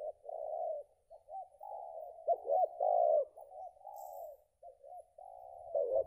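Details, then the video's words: Belah rotan style coo from a contest-ranked spotted dove recently returned from moult: a continuous chain of low hollow coos broken by short bubbling notes, steady and tuneful. "Mantap sedotan nya untuk BB sekelas ajaran, Ranking no. 2 BB belah rotan"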